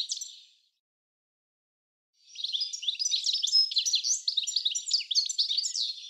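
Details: Goldfinch heard in a Dutch garden at Uddel, 10 April 2013: a brief twitter, a two-second pause, then a continuous jumble of bright, rapid chirps and tinkling notes.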